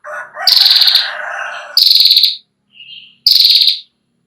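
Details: Long trill of a female Ashy prinia, used as a tutor for young birds: loud buzzy pulsed trills repeat, each preceded by a soft lower note, while another broader, lower chattering sound overlaps the first phrase.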